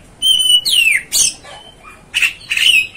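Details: Oriental magpie-robin gives a steady whistled note, a downward slurred whistle, then short rasping bursts.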